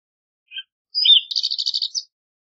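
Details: Green-tailed towhee singing: a short high chirp, then a brief slurred note followed by a rapid buzzy trill of about eight repeated notes, ending in a higher whistled note, all quite high-pitched with no background sounds.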